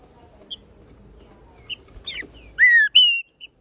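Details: Green-winged saltator gives two loud, clear whistles, the first slurring downward and the second higher and steadier, after a few faint chips over soft hiss; territorial song played to stimulate other saltators to sing.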